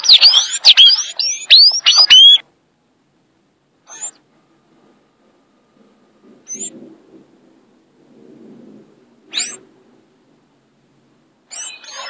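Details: Sayaca tanager with its "violin" song: a dense two-second burst of squeaky, slurred high notes, followed by a few isolated thin high calls spaced several seconds apart.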